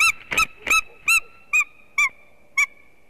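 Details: A white-tailed eagle at its nest in Latvia, heard on a webcam: about seven shrill yelps, the first ones rapid and rough, then slowing to spaced, clear notes as the series fades out.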